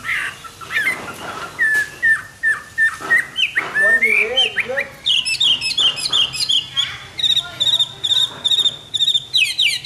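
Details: Hwamei singing in the morning: a loud, varied run of clear whistled notes, some repeated in quick series and others slurred up and down, building to high, rapid warbling phrases.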